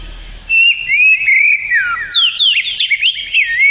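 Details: Oriental magpie-robin (kacer) singing energetically, used as tutor material for training other birds: after a quiet half second, a continuous run of clear whistled phrases sliding up and down, with richer, busier notes in the second half.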